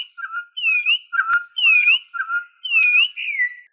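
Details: Venezuelan troupial song used to call other troupials and to teach: loud, rich whistled phrases, each swooping up and down, repeated about once a second with short pauses between.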